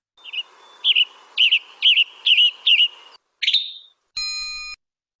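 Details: Western tanager (Piranga ludoviciana) song: hoarse, burry, robin-like phrases, about six in three seconds, then one rising slur and a brief electronic tone.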